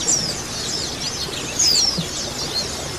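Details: White-eye colony of both sexes, used to encourage singing: high, thin downward-slurred whistles, one near the start and a doubled one mid-way, amid a busy high-pitched background hiss.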